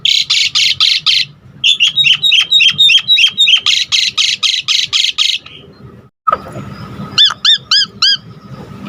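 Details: Jalak suren giving gacor full isian song: strings of harsh rasps mixed with squeaky notes, a short pause, then a series of clear upswept whistles repeated in a row, with a steady hum underneath.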